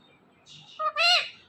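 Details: Talking parrot speaking a short word that sounds like 'Kim': a soft upper syllable, then a louder, bright, harmonic note that rises and falls, in a quiet room.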